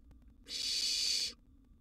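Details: Begging barn owl nestling at mealtime inside a wild nest box, with a sizeable gerbil delivered; one loud, broad, hissing screech lasting under a second, rasping and breathy with a slight tonal edge.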